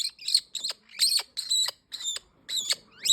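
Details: Green-winged king parrot delivering a series of short, harsh, chattering squawks in clipped bursts about every half second. The notes are shrill and tightly stacked, with the last one ending on a rising note.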